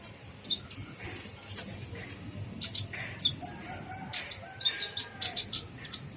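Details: Brown-throated sunbird singing in the vigorous, filler-rich gacor full isian style: high thin chirps and sharp metallic notes in quick clusters, some rising or falling, repeated roughly every half second over a faint low hum.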